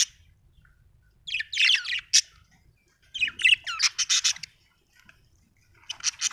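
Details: Chirping from a happy budgerigar, an Australian bird: two loud bursts of rapid, raspy chatter separated by quiet, then a softer scratchy flurry at the close; faint low rumble underneath.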